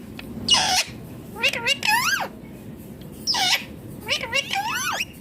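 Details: Green ringneck parrot talking: harmonic, speech-like rising and falling syllables alternating with harsh noisy bursts, in two matching phrases over a steady low background hum.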